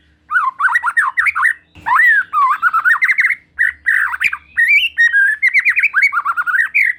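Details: Rich whistled song of a white-rumped shama singing hard, played to prompt another shama to sing: fluid, warbled phrases rising and falling, broken by short pauses, with occasional faint low thumps.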